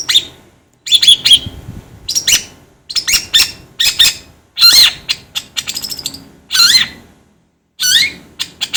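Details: Long-tailed shrike sound played to rouse shrikes: harsh, grating notes and short chatters, with several loud scratchy calls that curve upward, delivered in irregular phrases with pauses.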